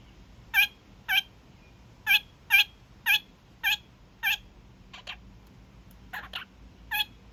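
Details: A young male kakariki kept as a pet, making his daily evening honks: loud, clipped, nasal honks repeated about every half second in an uneven series, with a few softer, scratchier notes near the end, over a faint hum.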